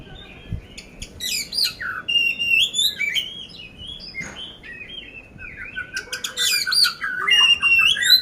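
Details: Varied song of an oriental magpie-robin from Magelang, Central Java, Indonesia, ready for competition with an 'isian kasar' coarse fill: high scratchy chirps, twisting whistles and buzzy phrases in quick bursts, growing louder toward the end.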